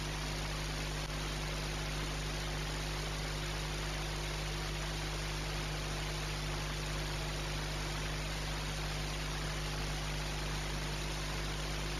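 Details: Only a steady, unbroken rush of broadband noise with a low droning hum underneath; no animal calls can be picked out.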